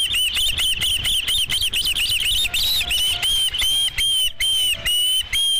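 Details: An osprey calls at the nest on 5 July 2016 as the first fish arrives: fast series of shrill, piping chirps, slowing and spacing out toward the end.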